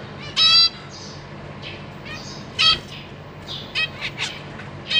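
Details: Captive zebra finches on 14 April 2023, parents feeding three juveniles and three newly hatched babies in a cage: two loud nasal harmonic calls, then softer short chirps and several brief high notes.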